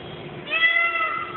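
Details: A peacock by the roadside gives a single drawn-out, nasal, cat-like wail that holds steady then sags slightly in pitch, over a low background rumble.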